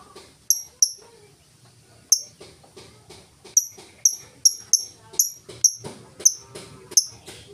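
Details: Ticking ngetik song of a lovebird, used to lure other lovebirds into song: sharp high ticks, sparse at first, then regular at about two per second, with faint background noise.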